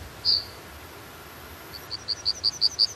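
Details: Yellowhammer song: one thin high note, a pause, then a quickening run of short, evenly repeated high notes, with faint steady background hiss.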